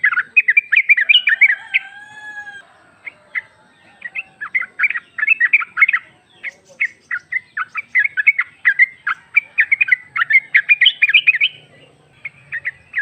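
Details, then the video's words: Sooty-headed bulbul, a female calling the male, used as a lure: bright chirpy notes in quick irregular bursts, some short rattling runs and a few drawn whistles, steady through the stretch with no other sounds. "Trucuk betina memanggil jantan"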